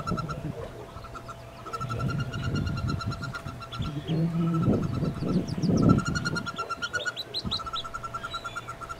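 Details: Wood duck nestlings in a nest box with a hooded merganser chick among them, 2013 nesting season; thin peeps repeated in quick series over loud low rumbling and shuffling in the box.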